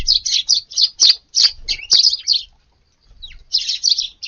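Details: Garden Eurasian tree sparrows at a dawn feeding on a hot August 19th; loud, clipped high chirps repeat in a quick uneven series, then a half-second silence, then softer chirps resume.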